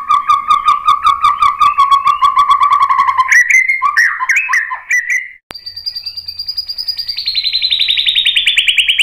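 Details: White-rumped shama singing as a lure for other birds to answer: a long rapid trill of paired notes, a jumbled varied phrase, then a fast high trill slowly sliding downward.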